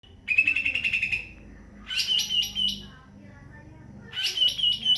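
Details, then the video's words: Greater green leafbird singing: loud, rich trilled phrases about a second long, steady then rapidly stuttering, separated by short pauses, over a faint low hum. "SUARA ASLI BURUNG CUCAK IJO"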